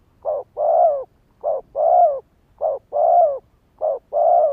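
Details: Spotted dove calling to lure and excite males: soft low coos in pairs, a brief note then a longer rounded one, repeated four times at an even pace.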